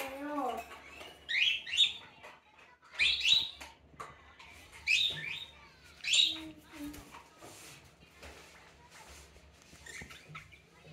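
A budgerigar copies cockatiel calls: bright, rising chirped whistles in short bursts every second or two, with softer warbling chatter between them.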